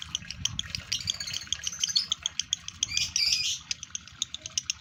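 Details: Caged male lovebird in breeding condition giving a busy high chatter of squeaky twitters mixed with sharp ticking chips, bursts of louder warbling near the end.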